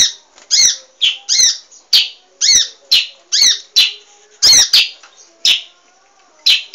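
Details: Munia song used to train caged birds, heard as a rapid run of piercing, scratchy high chirps, some double-noted, about a dozen in under seven seconds, with near silence between them.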